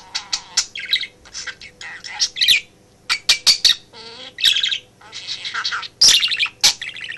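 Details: Male budgie chattering in a home office as its owner works, imitating phrases; quick sequence of clicks, squawky bursts and warbled whistles, one low gurgling note midway, steady electrical hum.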